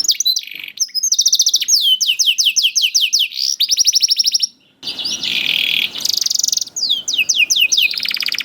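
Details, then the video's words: Canary fledgling song played to coax quiet canaries into singing: rapid ringing trills and swooping whistles, a pause, then a harsh buzzy stretch before fast trilling resumes. "PANCINGAN KENARI PAUD TERBUKTI AMPUH MEMANCING KENARI SUSAH BUNYI IKUT GACOR"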